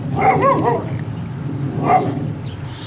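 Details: African black ducks kept at a waterfowl ranch in Holland: two short, nasal, quacking calls about a second and a half apart, over a low background rumble.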